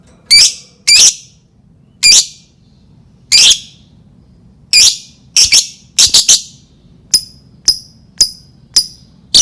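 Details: Lovebird calls meant to lure other lovebirds into song: piercing screechy notes at irregular intervals, then a run of thinner, quieter high chips toward the end.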